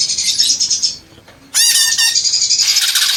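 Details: Greater green leafbird in a long squawking outburst: buzzy high chatter, a short silence, then a loud harsh burst followed by rapid trilled notes.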